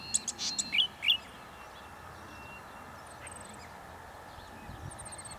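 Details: Male Golden-headed Cisticola in breeding plumage, Pitt Town Lagoon, NSW, October 2017, singing from an exposed perch near dusk; two short buzzy bursts each ending in sharp clicking chips within the first second, then quiet, with faint thin high trills later.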